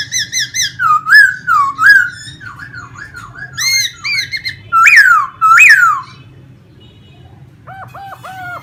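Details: Caged laughingthrush in Vietnam displaying with a fanned tail as it sings: bouncing looped whistles, loud swooping peaks, then a pause and a short run of soft repeated notes.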